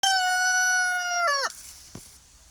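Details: Free-range pastured rooster on an off-grid homestead, crowing: the end of a long, steady, harmonic-rich crow that holds one pitch, then bends down and cuts off, followed by a faint click.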